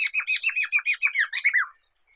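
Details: Black-throated laughingthrush, a recording for luring and training songbirds: a rapid, loud string of about a dozen rich, downward-curving notes mixed with raspy overtones, ending in a lower slurred note.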